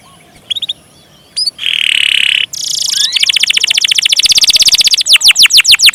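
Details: Canary song with long rolling phrases: a few thin whistles, a harsh buzzy burst, then a fast rolling trill of repeated notes that speeds up and grows louder, ending in sweeping chirps.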